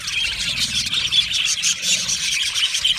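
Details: Many Australian budgies in an aviary colony chirping and singing together: a brief, unbroken stream of high, scratchy twitters and warbled notes.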